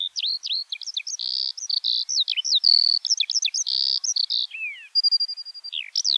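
A Eurasian skylark pours out a fast, unbroken stream of high chirps, buzzy notes, trills and thin whistles, with no other sounds.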